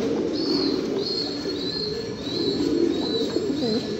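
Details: A flock of fancy pigeons keeps up a low, murmuring coo chorus beneath a repeated thin, high whistled note sounding about every half second.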